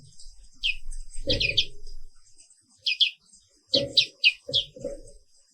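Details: Black-capped white-eye (Zosterops atricapilla), a species found only in Indonesia, singing in the morning: short bright chirps sweeping downward, given singly and in quick clusters of two to four, with soft low thumps under several notes.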